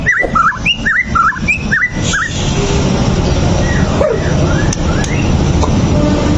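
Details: White-rumped shama song intended to make it fight: a brisk run of looping, slurred whistles repeated for about two seconds, then fading under steady low rumbling noise with faint scattered notes.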